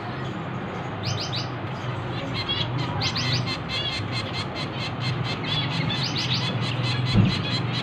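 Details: Finch chicks during hand-feeding, uttering bursts of shrill, buzzy chirps in irregular clusters separated by short pauses, with a constant low hum and a brief knock near the end.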